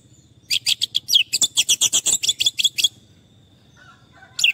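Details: Orange-headed thrush song meant as therapy for stressed birds that have gone quiet: a rapid, evenly spaced series of sharp high notes for about two seconds, followed by near silence and a low hum.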